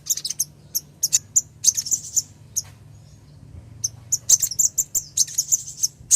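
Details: Female ruby-cheeked sunbird calling the male, used as a lure to set a silent male singing: sharp, very high chirps in quick clusters with short buzzy trills, a pause midway, then denser chirping, over a faint low hum.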